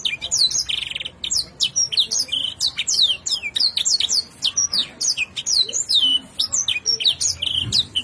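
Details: Domestic canary in full, energetic song packed with varied imitated fill phrases: rapid high whistled sweeps and trills, with notes falling and rising in quick succession and brief gaps between bursts throughout.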